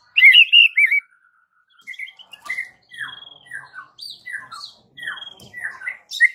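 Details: White-rumped shama, its unique voice said to get shamas village-wide singing back nonstop; a loud whistled burst opens, then after a pause a string of short falling whistles and chips.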